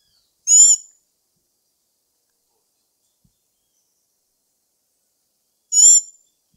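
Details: Two short, high, bright harmonic notes about five seconds apart from a black-backed tanager (Stilpnia peruviana), clean and isolated with no other sounds.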